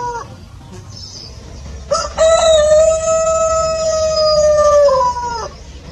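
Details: A rooster crows on a chicken farm: after a quiet lead-in, a raspy start swells into a loud, sustained cock-a-doodle-doo of more than three seconds that ends with a brief downturn.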